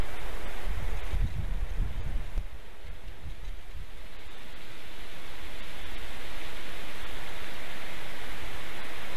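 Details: Rushing wind and broadband hiss swell toward the end, with no calls.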